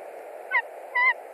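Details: At a Latvian nest in March 2021, a white-tailed eagle calls while a stranger visits the branch: two short, clear yelps, the second longer and slightly rising, above steady background noise.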